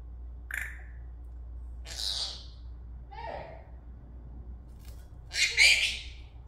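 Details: Pet Senegal parrot talking while dancing: a handful of short, scratchy, squawk-like vocal bursts spaced a second or so apart, the loudest and harshest near the end, with a low steady hum underneath.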